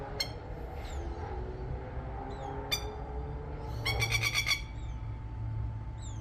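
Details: Baby plover in Australia, with its mother, giving a quick burst of harsh, rattling kek notes, with faint thin descending whistles, a few sharp knocks and steady low rumble behind.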